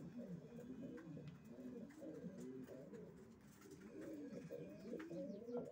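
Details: Racing pigeons in a loft giving a steady stream of low, throaty, undulating coos from several birds at once, continuous over several seconds.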